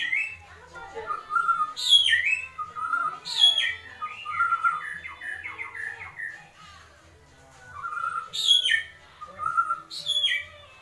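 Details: Agitated White-rumped shama giving kretekan calls: loud whistles sweeping steeply down from high to mid pitch, mixed with runs of chattering, warbled notes, repeated in bursts over about eleven seconds, with a faint low hum underneath.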